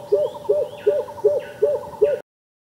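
A greater coucal gives a series of six deep, hollow hoots, evenly spaced about three per second. Faint higher notes from other birds sound in the background.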